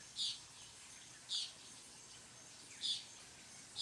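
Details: Puerto Rican tody (Todus mexicanus), a tiny endemic bird of Puerto Rico's forests, giving short, buzzy, high-pitched beeps, four in quick succession about a second apart, over quiet hiss.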